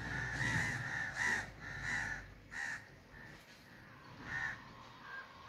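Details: Rasping crow caws in a quick run of four, then a pause before two more scattered calls, each harsh and broad-toned.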